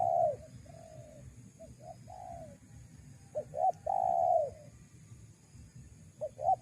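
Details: Spotted dove cooing, a recording used to lure wild doves. Low, soft coos: a few short notes, then two hooked notes leading to a long, steady, mellow coo, and further short notes near the end, over faint rumble.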